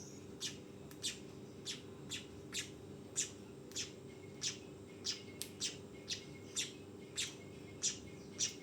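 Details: Young weaver calling with sharp, high chirps, about one to two a second at uneven spacing, over a steady low background hum.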